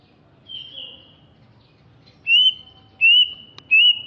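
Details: Greater green leafbird from Alas Purwo, Banyuwangi, East Java, described as larger and fierce-looking, gives clear, high whistled notes. A faint drawn-out whistle comes first, then three loud, slightly rising whistles about seven tenths of a second apart.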